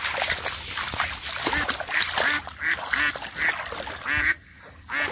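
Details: Ducks beside muddy water in a rural village, calling while a boy catches catfish by hand; a steady series of harsh, nasal quacks, roughly one every second, ending briefly in near silence before resuming.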